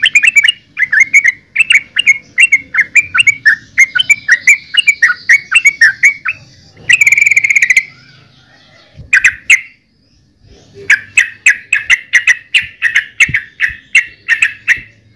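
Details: Yellow-vented bulbul pouring out long runs of quick, bubbling notes, interrupted midway by a loud harsh burst of noise and a short silence before the chattering resumes.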